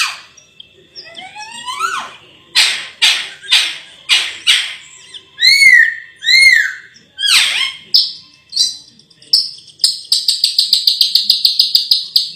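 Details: Song of the raja perling, or Sulawesi myna: rising whistled sweeps first, then loud sharp notes and arched whistles, ending in a rapid buzzy trill of repeated high notes.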